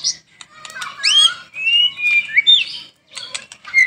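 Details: White-rumped shama, a cage bird singing for training, giving looping whistles and a sustained warbled note with scratchy clicks, with brief breaks between short phrases.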